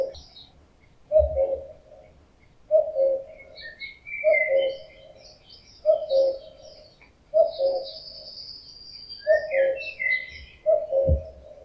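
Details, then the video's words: Male common cuckoo calling in summer during the mating season: seven loud, steady cu-coo phrases, each a higher note dropping to a lower one, repeated about every one and a half seconds, with scattered high bird chirps in the background. "Kukułka - odgłosy kukułki"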